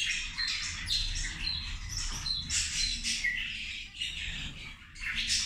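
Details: Zebra finches calling while they feed at midday, rapid nasal trumpet-like chirps with short clear high notes scattered through the chorus, over a low steady hum.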